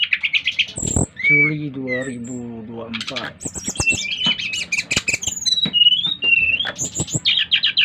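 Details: Brown-chested jungle flycatcher from Bali in full song, stirring other flycatchers to join: a low, voice-like droning first, then dense bursts of high whistles, buzzy trills and slurred notes running continuously.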